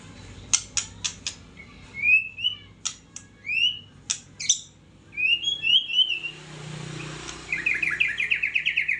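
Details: White-rumped shama lure song in the rindu rimba style: sharp clicks and upward whistled slurs, then a fast buzzy trill, over low background hum.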